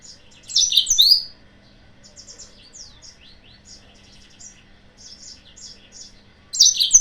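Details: Yellow-fronted canary singing as a lure meant to anger rival birds. A loud burst of bright, high chirps opens, followed by soft, rapid twittering phrases and downslurred notes, with a final loud burst at the close.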